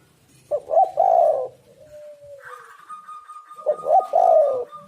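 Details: Spotted dove cooing as a lure: two burry coo phrases a few seconds apart, with a faint steady whistle-like tone running between and under them and light background noise.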